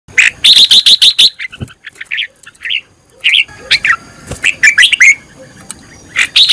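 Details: Red-whiskered bulbul, a decoy bird being trained to sing, giving loud bursts of bright chirping notes in rapid runs, then a pause with softer scattered calls before more quick, emphatic phrases.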